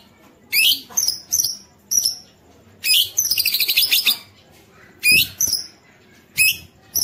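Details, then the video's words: White-rumped shama singing as a provocation for other shamas, delivering repeated sharp, very high upswept chips and a dense rapid burst of harsh high notes, spaced by short pauses. "MURAI BATU GACOR ampuh buat pancingan murai batu agar bunyi"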